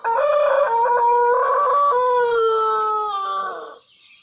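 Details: Long, melodious crow of a Pelung chicken: a loud, rich harmonic call held for nearly four seconds that wavers early, then slides gently downward before fading.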